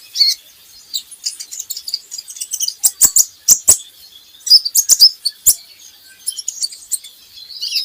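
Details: Kolibri ninja song used as a training lure to make birds sing: high, rapid chirps and thin trills in repeated bursts, mixed with sharp clicks.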